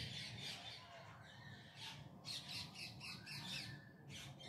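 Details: Harsh, noisy squawking from parrots on an evening in Bangalore city, India: short rough shrieks repeated several times a second in clusters, with faint low traffic-like rumble beneath.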